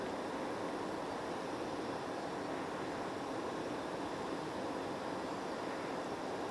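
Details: Continuous wind-like rushing noise, steady throughout, with no animal voice audible.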